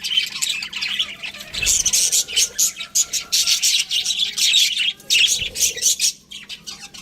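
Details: Budgerigars chirping in a flock: dense, overlapping high warbles and rapid twittering chirps, nearly continuous with brief pauses, no other clear sounds.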